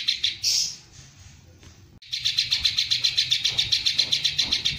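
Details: Greater green leafbird singing a long 'tembakan' (shooting) style song filled with kingfisher (tengkek udang) phrases: a loud high burst, a short lull, then a fast run of sharp high notes repeated almost four times a second.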